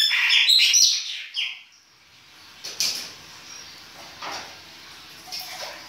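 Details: Chopi blackbird in winter, baianinho-style song: a brief burst of bright, high whistled notes and chirps at the start, then quiet with a few faint distant notes.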